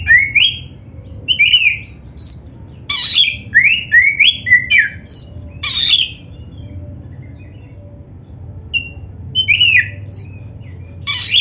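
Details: Oriental magpie-robin, black-breasted type kept as a song bird, delivering a rich varied song used for training: rising whistled slurs and high thin notes broken by short harsh bursts, with a long pause midway.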